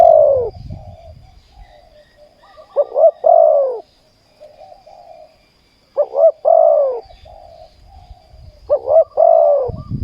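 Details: Spotted dove in ground decoy trapping, uttering spaced cooing phrases: stuttering short notes leading into a loud, arched, falling croo. Quiet gaps and soft distant coos come between them, with occasional low thumps.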